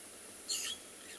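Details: Starling on a blustery, overcast February afternoon in a South African game reserve, returning to fight a raptor, possibly a goshawk: a single short burst of high, squeaky, chattering notes lasting about a quarter second, over a faint background hiss.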